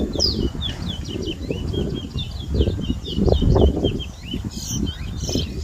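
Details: Competition singing by a towa towa seedfinch at a Berbice, Guyana bird ground in 2022. Quick chains of bright, swooping whistles run through the clip over steady low murmuring background noise.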